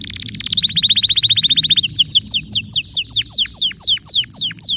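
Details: Canary delivering a rapid, evenly pulsed trill of repeated notes, then switching to slower, loud, descending whistled swoops, with a faint low hum underneath.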